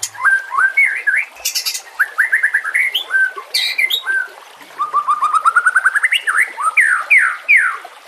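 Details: White-rumped shama singing for bird training over nature sounds and gurgling water: a series of varied whistled phrases, a rising run of short repeated notes, then loud upward-slurred whistles, against a steady water hiss.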